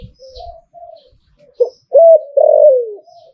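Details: Spotted dove singing in the หลิ่วตัน style: soft low coos, then two loud rich phrases, the last sliding downward.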